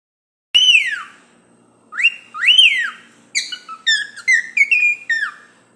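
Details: Cockatiel singing: loud clear whistles, first long notes that rise then slide down, followed by a faster run of short, stepped whistled notes, each falling at its end, in a quiet setting.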